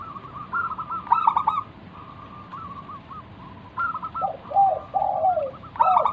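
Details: Local wild zebra dove in full song, used to lure other doves into answering: rapid stuttering bursts near 1.2 and 6 seconds, with rippling coos and lower drawn, sliding coo phrases in between.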